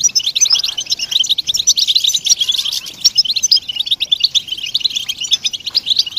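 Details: Group of European goldfinches in dense communal twittering and mating calls, used to stimulate silent males to sing; continuous overlapping high tinkling notes with no pause throughout.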